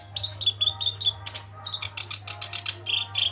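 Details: Black-browed reed warbler in full song, opening with a run of clear whistled notes, then harsh rattling ticks and chatter, closing on a sustained whistle, over a constant low electrical hum.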